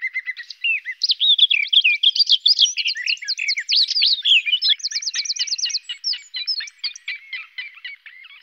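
A garden warbler sings a long, even, mellow warble of fast, varied chattering and fluty notes that runs on without a break. No other sounds stand out.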